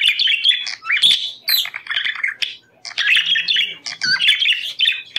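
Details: Pet budgerigars chattering to stimulate breeding: dense, nearly continuous warble of squeaks, buzzy chirps and quick whistled slurs, several birds calling together, with one brief pause midway.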